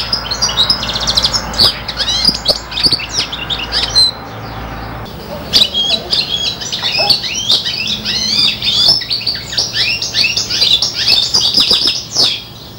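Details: Five-month-old hybrid of a serin and a bronze canary hen imitating goldfinch song: a fast, unbroken twitter of high chirps and short trills, with a brief dip in the middle before the jangling phrases resume.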